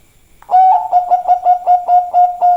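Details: Zebra dove of the Bangkok type in lively song: loud steady-pitched cooing broken into about nine rhythmic pulses, each note a short rolled coo, repeated roughly four times per second.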